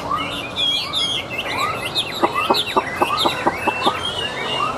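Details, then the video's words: Caged, tame Chinese hwamei singing on a tabletop: bright whistled and slurred phrases, then a quick run of sharp, clipped notes repeated several times in the second half. "Họa Mi Hót"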